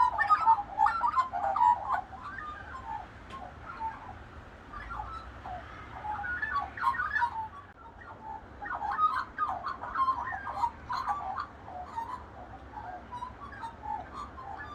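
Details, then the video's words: A local flock of Australian magpies carolling together in the morning, a group vocalisation: a dense chorus of overlapping fluting, warbled phrases with mid-pitched yodelling notes rising and falling in rapid succession. ""Carolling" Magpies Nature's alarm clocks - woken by magpies in the morning"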